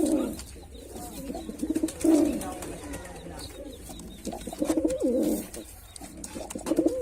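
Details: Male white pigeon performing, giving low throaty coos in bursts, a loud one near the start and a run of rolling coos later, over steady background hiss.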